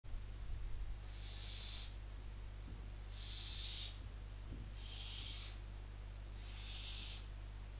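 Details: Barn owl chicks at a nest near the Casa Palillos visitor centre in Cabañeros National Park, Spain, calling in the middle of the night: long harsh hissing snores, each about a second, repeated every one to two seconds.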